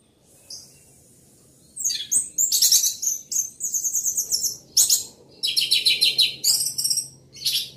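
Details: Loud song of an orange-headed thrush, a dense run of high, rapid, chattering and squeaky phrases with brief pauses between bursts, over a faint low hum.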